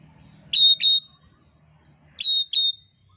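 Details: Oriental magpie-robin from Indonesia, used as training material for songbird keepers: two pairs of sharp, clear whistled notes, the second pair about 1.5 seconds after the first, over a faint low hum.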